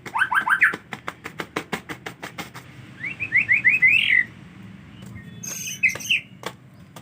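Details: White-rumped shama singing in the rainy season, reluctant to bathe: quick rising whistled slurs, a run of fast dry clicks, then a series of four or five rising whistles and scattered high chattering notes.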